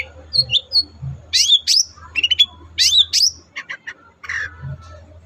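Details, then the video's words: Long-tailed shrike, captive, singing to encourage other birds to sing: varied buzzy and whistled phrases with rising and falling slurs, short ticks, then a descending harsh note, low hum underneath. "pancingan ampuh cendet susah bunyi agar cepat gacor"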